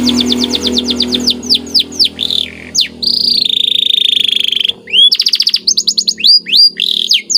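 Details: White canary singing a lively training song with special phrasing: rapid trills of upswept whistled notes, a sustained buzzy tone, then more fast rising chirp series, loud and close.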